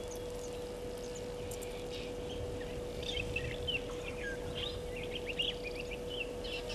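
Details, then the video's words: Burchell's starlings at Gowrie dam waterhole, Djuma Game Reserve, Sabi Sand, South Africa, at 12:14 on 14 April 2020, give short squeaky chirps and slurred whistles, clustered in the second half, over a steady electrical hum and low rumble. "Burchell's Starlings"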